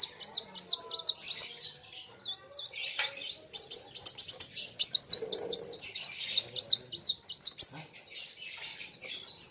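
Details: Sunbird singing hard against a rival: quickly repeated arched high notes in even rows, interrupted by a harsh burst and faint murmuring, then more rapid looping chirps.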